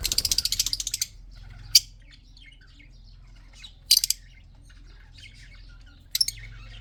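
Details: Red-eyed budgerigars in a breeding colony of male and female birds: a rapid run of harsh rasping bursts, then single loud screechy squawks at irregular gaps, with faint twittering chatter between them.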